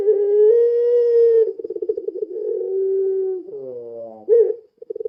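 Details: Puter pelung dove lure call: a long steady low coo, then a rapid rolling pulsed coo and a lower drawn-out tone, ending with short bursts.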